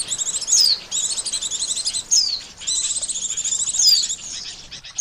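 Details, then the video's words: Lure call of an Oriental white-eye for catching birds, with continuous high chittering runs punctuated by sharp falling whistles every second or so. "SUARA PIKAT BURUNG PLECI"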